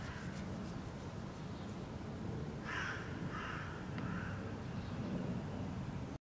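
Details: A hooded crow calls loudly in the background in Helsinki, Finland, in May 2013, giving about three harsh, hoarse caws in quick succession over a steady low rumble of wind or distant traffic.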